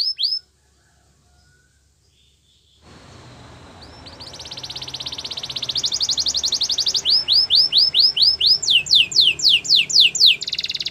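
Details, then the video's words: Canary song used for training: near silence for about three seconds, then a rising buzzy trill building in loudness, followed by rapid repeated downward-sweeping whistled notes, about four per second. "The most popular canary training!! Your belgian canary will sing a lot"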